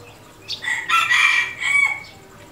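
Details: Red junglefowl rooster crowing: a short rising note, then a loud, harsh, broken middle phrase and a drawn-out fading end, about one and a half seconds long, against a quiet background.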